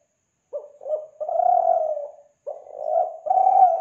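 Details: Spotted dove from Kelantan, a recording used as a lure for doves: two short stuttered coos lead into a long, low, even coo, then the phrase starts again after a brief pause.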